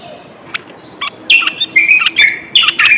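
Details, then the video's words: Male Moroccan common bulbul singing to excite males into song and prepare females for mating: liquid slurred whistles, rising and falling, delivered in a short run of loud phrases after a few soft chips. "تغريد البلبل:أجمل وأقوى الأصوات لتحسين آداء البلابل والفراخ القافلة."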